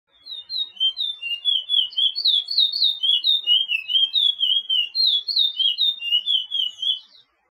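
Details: Chestnut-bellied seed-finch, called Picolet or Pijé-Pijé in Suriname, giving a training song for teaching caged birds: a fast run of clear whistled notes that swoop up and down, about two per second, ending abruptly.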